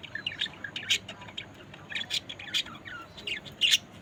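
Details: Several budgerigars chirping and tweeting in quick, bright, high notes, with short louder squawks spaced through a continuous busy chatter.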